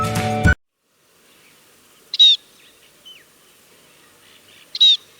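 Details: Scaly-breasted munia (Lonchura punctulata), a sparrow-sized finch of grasslands, gardens and farmland in Sri Lanka, often in small flocks: after brief music, two short, high, wavering calls about two and a half seconds apart, faint chips between.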